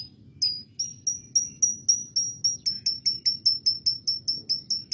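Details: Canary with lovebird fill-in: a steady series of shrill, high-pitched chips, about three per second, growing slightly louder and faster toward the end.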